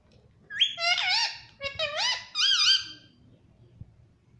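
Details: Kept pet parrot in a small room uttering three squeaky, speech-like phrases with wavering pitch, such as "mummy" or "papa", followed by quiet room noise.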